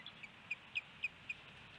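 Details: Osprey calling at the nest, Hellgate Canyon, Missoula, Montana, April 27, 2018, on a nest camera: five thin, high, clipped chirps about a quarter second apart over a quiet background.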